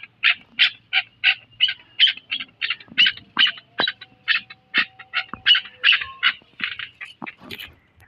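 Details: Chakor, the chukar partridge, from Pakistan, giving a long rhythmic series of loud, grating chuk notes, roughly two or three per second, evenly spaced and fairly constant in loudness, in a quiet setting.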